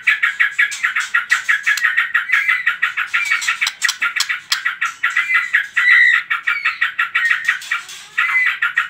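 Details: Continuous rapid song of a white-rumped shama, played to prompt other birds to sing: dense chattering notes with brief clear whistles and slurred rising phrases, pulsing without pause throughout.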